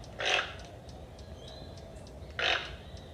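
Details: A toucan gives two rough, croaking calls about two seconds apart, with faint thin bird notes and hiss in between.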